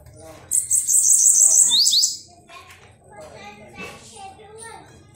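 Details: Tame Bananaquit singing while held on its keeper's lap: one high, thin, buzzy trill of rapid wheezy notes lasting about one and a half seconds, ending in quick downward slurs, followed by quiet indoor murmuring and soft handling noises.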